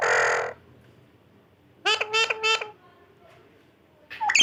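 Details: Talking pet parrot indoors: a loud raspy squawk, a quick trio of harmonic, speech-like syllables, then a sharp bent whistle at the close.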